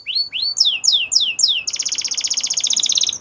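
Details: Canary singing meant for training young canaries: a handful of loud descending sweeping whistles about three per second, followed by a rapid even high trill.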